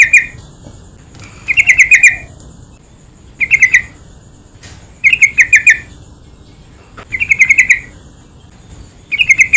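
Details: Yellow-vented bulbul song used as a lure to make other bulbuls sing: short bubbly chattering phrases of rapid warbled notes, each about half a second, repeated roughly every one and a half to two seconds over a faint steady high hiss.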